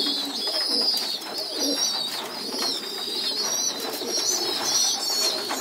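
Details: High, thin, whining calls from several pigeon youngsters being fed together on a loft floor, steady and overlapping, with low muffled coos and rustling beneath.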